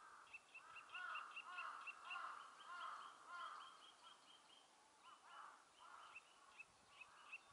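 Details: Eurasian nuthatch singing at Meiji Park, Nemuro, Japan on 3 April 2020 while inspecting a tree for a nest site, giving bursts of clear piping mid-pitched notes nearly two a second, faint against a quiet outdoor background.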